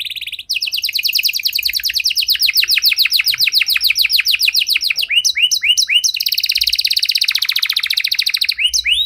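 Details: Canary with a long-lasting song intended to spark singing in quiet canaries: a brief high buzz, an extended rapid trill of swept notes over several seconds, rising whistles, then another dense trill.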